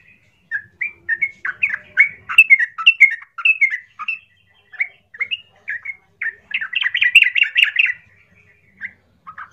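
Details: Yellow-vented bulbul, a harsh, loud provoking song meant to trigger other bulbuls into answering: rapid bubbling phrases of short liquid notes, then a dense burst of chattering notes near the end, with clear gaps between bursts.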